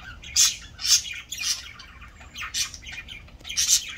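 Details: Budgerigars relaxing and cleaning their feathers after an afternoon bath give scratchy, chirpy squawks in quick bursts, about two each second.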